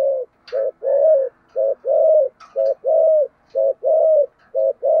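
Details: Deep, hollow thúc gù coos from a spotted dove with a thổ sấm voice, short and long notes alternating in a fairly even rhythm near one per second, with faint clicks between them.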